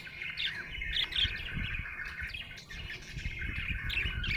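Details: Happy budgie chirping: a lively, chattering warble with quick rising accents throughout, accompanied by low thumping background noise.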